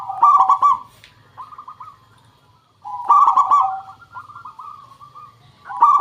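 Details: Local zebra dove singing loudly, used as a lure to prompt other doves to answer; clustered cooing notes with sharp broadband starts, then a long trailing run of softer rolling coos, the phrase returning about every three seconds.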